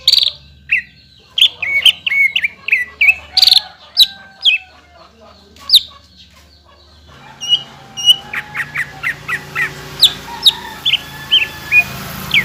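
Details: Greater green leafbird song used to provoke other leafbirds to sing; a varied run of sharp whistled notes and quick downslurred chips, becoming a faster string of bright separated notes in the second half.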